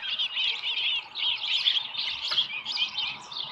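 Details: Osprey nest at Dunrovin Ranch, 13 July 2018 near 7:10 AM, with a small live fish: rapid, high piping chirps run together in short rhythmic phrases, softer and slightly distant, over faint low rumble.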